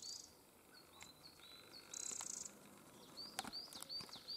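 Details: Eurasian wren family, including several young not long out of the nest, calling with short high upslurred squeaks and a brief buzzy burst, plus scattered sharp clicks against quiet natural surroundings.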